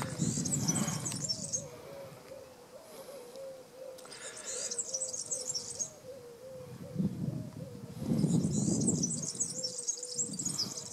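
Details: European serin singing at Praia do Vau in the Algarve, Portugal, recorded while digiscoping: three bursts of very high, fast, jingling buzzy twitter, each about two seconds, over a steady series of low wavering hooting notes from another bird.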